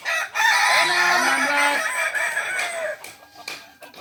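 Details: Balenggek roosters at a crowing practice contest in Ampang Kualo, Solok city; loud, overlapping crows with stepped, segmented syllables fade after about three seconds into quieter crowd noise.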